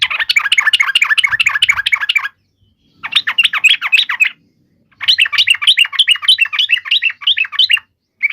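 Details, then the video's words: Yellow-vented bulbul in fighting song, a call used to make other bulbuls reply: three loud, rapid chattering bouts of bubbly chirps, each about two to three seconds long, separated by brief silences. "trucukan gacor SUARA TARUNG INI menjadikan burung trucuk gacor NYAUT SEKETIKA"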